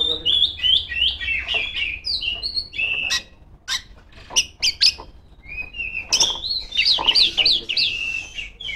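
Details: Female Oriental magpie-robin in full, continuous song aimed at rivals, mixing rich warbled whistles with sharp clicking and chipping notes at an irregular, rapid pace, ending in a run of quick rising-falling whistles.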